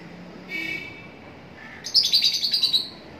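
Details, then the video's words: Lovebird sounds: a soft faint note first, then a rapid burst of shrill, repeated chirps about seven or eight in quick succession, high and scratchy, against low background hiss. "love birds sound"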